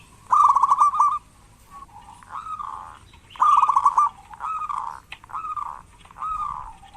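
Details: Actively singing local zebra dove, played to coax lazy doves into calling: two rapid trilled coo phrases, each followed by slower, drawn-out mellow coos, in a quiet setting.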